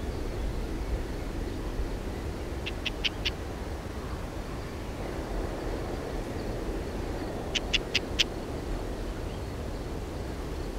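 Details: Lesser grey shrike calling while hunting: a burst of four harsh, clipped notes, a pause of about four seconds, then another matching burst of four, against a continuous low-pitched rumble.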